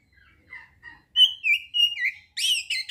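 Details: Oriental magpie-robin song played to stimulate arousal and aggression in kept birds: faint thin whistles, then loud clear whistled notes, sliding and slurred, ending in a harsh buzzy burst, all within three seconds.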